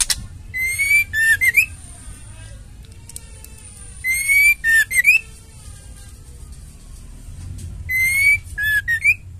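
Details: Female white-rumped shama in full song, played to stimulate males and bring out their song: one phrase repeated three times about every four seconds, with rapid high ticking notes, a clear steady whistle and a quick rising whistled flourish, over faint low hum.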